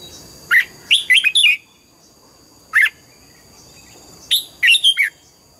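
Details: Morning singing from an old wild-caught red-whiskered bulbul being trained in the double-note (âm kép) style: lively bursts of four or five quick whistled notes, separated by single loud chirps, with a faint steady hum behind.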